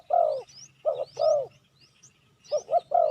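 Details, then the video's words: Spotted dove cooing to lure wild doves. Deep, slightly falling croos alternate with quick double coos, with brief gaps between them. Faint rising chirps from another bird sound overhead. "Chim cu gáy chiêu kích mồi tập bổi nhanh nổi hiệu quả"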